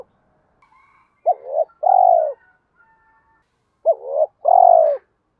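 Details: Cooing of a spotted dove, used to get other doves cooing. Two throaty phrases, each a brief hooked note and a rising note followed by a long, drawn-out falling coo. Faint thin whistles from other birds sound behind.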